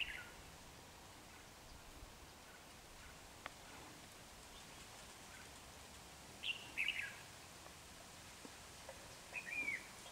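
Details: Red-whiskered bulbul around a decoy trap on 28 January 2019: after a quiet stretch, a quick warbling phrase, then a shorter slurred whistle near the end, with constant low background hiss.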